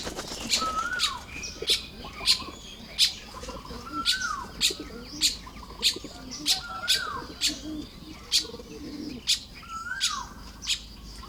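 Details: Baya weaver building a nest on a morning in Lopburi, Thailand, 1 May 2026. Sharp high chips repeat about every second, with a lower whistle that slides down, heard roughly every three seconds.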